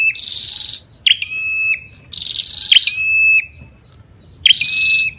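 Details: Singing Ashy tailorbird with the female calling: three buzzy phrases, each opening with a sharp chip and trailing into a flat whistled note, repeated about every two seconds.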